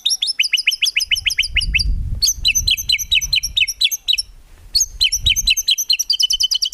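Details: Energetic white-rumped shama song used to train songbirds, packed with rapid burst phrases: dense, fast chattering trills of sharp high notes in long runs broken by brief pauses, with low background rumble.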